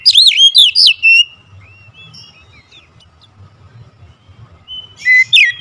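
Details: Oriental magpie-robin singing agitated and fierce: bursts of loud, sweet whistled notes with sharp rising and falling sweeps, then a quieter pause of thin, wavering high notes before another loud burst at the end.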